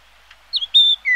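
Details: Yellow-billed Grosbeak giving a brief run of clear whistled notes: a short downslurred note, then a long steady high whistle, then a lower falling whistle, with nothing else audible.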